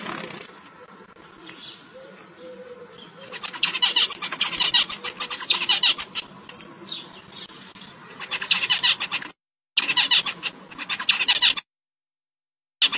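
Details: Zebra finch chirping: after a quiet start with soft notes, loud buzzy, nasal notes come in quick runs, a long stretch of chattering, then two shorter bursts separated by brief silent gaps.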